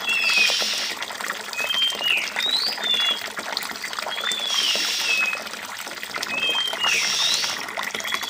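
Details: Oriental magpie-robin with a water-sound backdrop meant to sharpen its response; bright whistled slurs, rising and dropping, come in loose clusters every few seconds above continuous splashing water.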